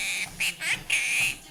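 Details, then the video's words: Quaker parrot, a household pet perched on a walking treadmill, joining its owner in Happy Birthday; harsh, nasal, sustained syllables in a short-short-long pattern, the last note held and slightly wavering. "Quaker Parrot Talking, Singing Happy Birthday and Beebopping"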